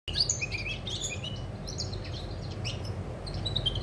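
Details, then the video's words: European goldfinch song recorded 20 August 2020: rapid twittering chirps and short high tinkling notes run through the whole stretch, over a steady low hum. "Chardonneret , El jilguero , bird , cardellino pezzato , GOLDFINCH SONG"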